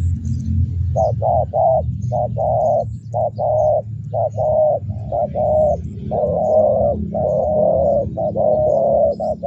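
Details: A spotted dove, a lure bird praised for its big, dragging "thunder" voice, gives a run of soft, hollow coos, roughly one per second, some drawn out and slurred, over a steady low rumble.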